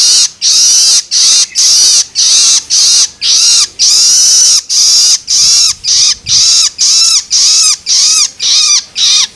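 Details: Long-tailed shrike chick begging with loloan calls meant to stimulate adult birds: a rapid, insistent series of scratchy, wheezing bursts, nearly two per second, each with a downward-curving rasp.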